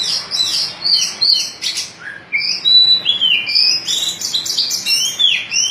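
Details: White-breasted kacer in rambling ngobra song with swirling phrasing: rich, varied whistled phrases with slurred glides and rapid twittering notes, continuous and high, over light background hiss.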